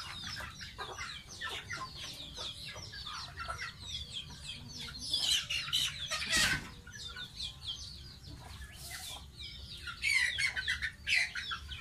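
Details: Baby pet goose being bathed keeps up rapid, high, falling peeps, interrupted by a few sharp bursts of noise, likely water splashes.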